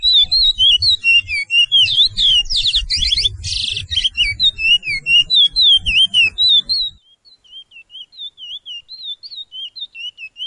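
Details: Caged-bird training song, 'pije pije' style of the Surinamese chestnut-bellied seed finch: fast repeated whistled slurs, four per second, with a harsh buzzy rattle midway and low rumbling background for the first seven seconds, then cleaner softer whistles.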